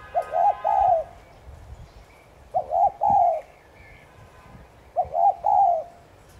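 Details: Spotted dove in 'thúc gù' cooing style, played to provoke decoy doves to call: three soft hooting phrases of short, short, long notes, repeated roughly every two and a half seconds.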